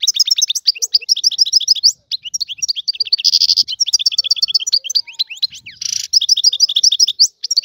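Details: Wild European goldfinch pouring out continuous high twittering song, liquid chirps and slurred notes interrupted twice by harsh buzzy bursts, with a brief pause near two seconds.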